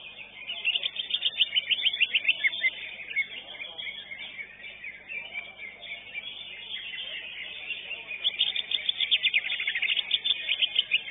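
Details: A first-place-winning greater green leafbird at a songbird contest delivers a high, fast chattering song, with rapid trilled bursts that run on and off through the whole passage.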